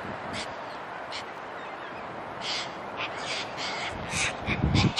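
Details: Cockatoos in Australia, common everywhere like pigeons and sometimes nearly tame: a string of harsh, raspy screeches repeated irregularly over steady broadband background noise, growing louder toward the end.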